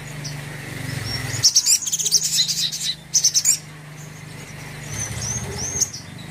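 Brown-throated Sunbird gives two quick bursts of high, thin, rapid chittering notes, with scattered faint chirps and a low background hum.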